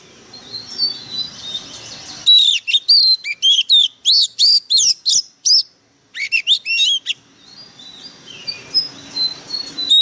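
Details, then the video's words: White-rumped shama delivering a fierce burst of song, a fast string of about a dozen sharp, sweeping whistled notes, a brief break, then another rapid volley, with softer distant birdsong before and after. "Chòe than mồi căng lửa bắn giọng cực gắt"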